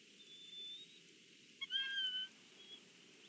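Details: Bald eagles, a family gathered at their Big Bear nest at breakfast, caught on a live nest cam: a thin high whistle, then a longer clear piping note with a lower harmonic, over steady low background hiss.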